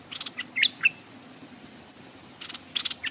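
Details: Stripe-throated bulbul serving as a decoy bird by a stream, attracting wild birds that stayed off the ground. A short phrase of liquid whistles, a pause, then another quick cluster of chirpy notes with faint rustling.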